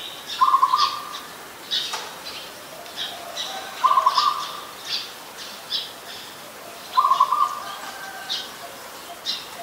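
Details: Adult zebra dove in Ubon Ratchathani, Thailand, recorded on 28 December 2020, giving soft, rapid, trilled stuttering coos in short bursts roughly every three seconds, over a steady hiss of insects and other distant high-pitched birds.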